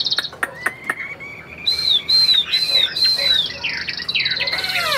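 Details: Caged tam hoàng Chinese hwamei opens with sharp clicks and a thin rising whistle, then gives loud, clear slurred whistles that arch downward, each repeated about once a second, with faint cage rattles.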